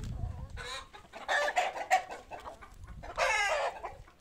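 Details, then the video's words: Poultry at feeding time, loud harsh squawking bursts from one bird repeated about every second, with quieter clucking between the outbursts. "Τime for food , happy moment for our poultry"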